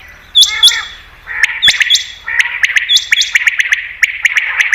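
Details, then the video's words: Common quail sound for attracting quail on hunts. Two clear high whistled notes open it, then buzzy clicking phrases that grow denser and keep repeating. "Batair Ki Best Awaz , Batair Sound , Common Quail New Sound For Hunting 2022"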